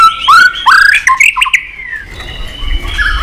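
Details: Clicking, tail-flicking white-rumped shama in excited song: clear whistled notes and rising slurs in the first two seconds, then a long, thin whistle that fades into soft background noise.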